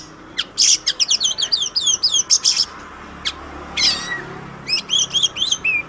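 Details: Oriental magpie-robin on a songbird training master track: a rapid chattering run of about a dozen high scratchy notes, a short rasp, then quick paired whistles and a falling slur.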